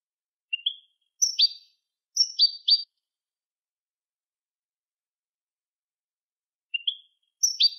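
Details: European goldfinch song meant for tutoring young goldfinches: sparse clusters of high, liquid chirps, a short rising note followed by quick twittering pairs, separated by a long silent gap, with a clean, quiet background.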